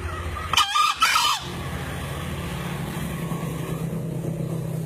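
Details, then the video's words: Green junglefowl crow from a two-year-old bird kept on Lombok and entered in a 2016 contest: two quick raspy notes in under a second, then a steady engine hum continues. "KOKOK AYAM HUTAN HIJAU"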